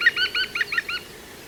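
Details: ['Juvenile female European green woodpecker at Walthamstow Waterworks Nature Reserve, London, UK, 5 September 2022: a brief run of about six hooked, ringing notes at an even pace, fading away at the end.']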